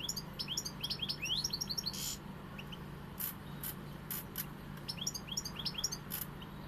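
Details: European goldfinch song of the pegada style, rapid tinkling twitter phrases with a few sharp clicking bursts between them and a constant low background hum.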